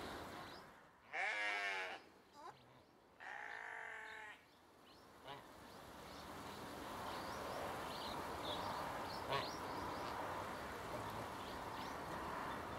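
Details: Captive pair of swan geese in an open outdoor enclosure giving two drawn-out, wavering nasal honks about two seconds apart, followed by a long stretch of quiet background rustle with faint distant chirps.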